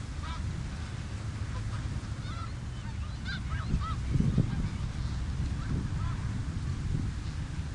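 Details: On the Richelieu River, snow geese give scattered high, barking honks, several birds calling in quick bursts around the middle, with a constant low rumble of wind or flowing water beneath.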